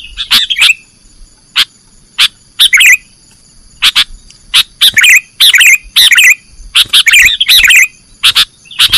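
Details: Master recording for training caged birds of a sooty-headed bulbul singing nggaruda style. Separate sharp clicks alternate with short chattering phrases of twisting high notes, roughly two bursts a second. A steady high hum sits behind.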